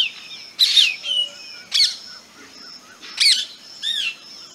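Black drongo giving four harsh, metallic bursts with twanging downslurs, about one every second, over a steady high insect-like whine and faint distant chirps.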